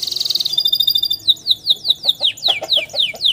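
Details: Canary singing a long roll as training song for young canaries: a short fast trill gives way to repeated sharp downslurred notes at about four per second.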